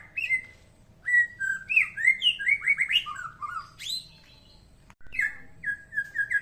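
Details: Unusual song of a white-rumped shama, a fast varied run of whistled slurred notes stepping up and down in pitch, a short pause, then a series of repeated bright whistles.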